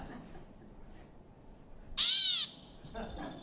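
A Gray Catbird gives one harsh, nasal, cat-like mew lasting about half a second, slightly falling, over quiet background hiss.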